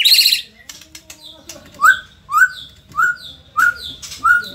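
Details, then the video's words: White-rumped shama, Indonesia, a lively performing bird: a buzzy trilled opening note, then a series of short upslurred whistles with high overtones, repeated about every 0.6 seconds. "auto emosi !! murai gacor super figter | shama bird Indonesia"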